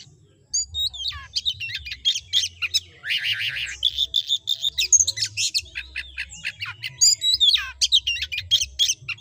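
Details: Oriental magpie-robin (kacer) singing in the vigorous ngobra style, offered as a tutor song for kacer birds: a dense, fast run of varied sharp chirps, trills and whistled notes, mostly high-pitched, continuing almost without pause.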